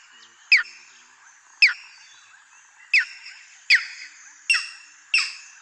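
Striated heron giving six sharp, harsh, down-slurred 'kyow' calls, roughly one per second, over a steady high insect drone.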